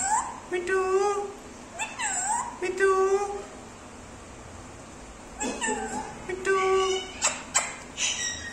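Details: Pet Indian ringneck parakeet saying its name and meowing like a cat; clusters of voiced harmonic words with curving pitch, a quiet gap mid-way, then quicker clipped syllables, soft music underneath.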